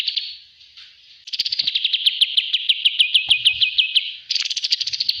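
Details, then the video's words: Kapas tembak bulbul, recorded as a training master, opens with a few chirps, then launches into a long fast series of bright downslurred notes and a buzzier trill at the end. "master Ampuh burung kapas Tembak"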